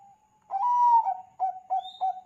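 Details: Singing Bangkok-type zebra dove, a lure to make other zebra doves call: a long swelling hoo followed by three short crisp coos, with a thin high whistle from another bird in the background.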